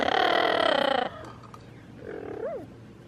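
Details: Freedom, a pet Amazon parrot, gives a harsh, buzzy, pulsing growl for about a second, then after a pause a single soft, rising-and-falling coo, cooing toward yellow-fronted, yellow-naped and double yellow-headed Amazons.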